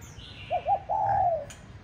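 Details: Caged spotted dove kept as a decoy bird in Hanoi, Vietnam, said to coo all day; two short clipped coos followed by a longer, drawn-out, slightly falling coo, with a faint low background hum.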